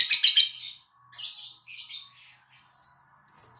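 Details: Lovebird pancingan song for luring other lovebirds into singing: an opening burst of rapid shrill chatter, then two rough, buzzy squawking phrases, a brief whistled note and short high chirps at the end.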